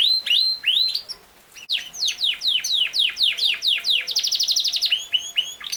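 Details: Singing Yorkshire canary, also called king size canary: short slurred whistles, a brief pause, then a long run of rapid falling notes ending in a bright, fast trill and a few more descending slurs.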